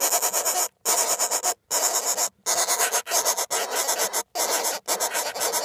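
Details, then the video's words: Northern flicker nestlings calling inside a nest box. Harsh, broadband rasping buzzes come in about eight long bursts within six seconds, each broken off by a brief silence. "Northern Flicker Nestlings Vocalizing in the Nestbox"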